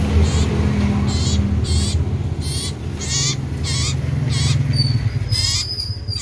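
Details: Common iora, called cipoh sirtu, singing loudly and actively: a run of short, harsh, rasping bursts with stacked overtones, roughly two or three a second, over a steady low engine-like hum.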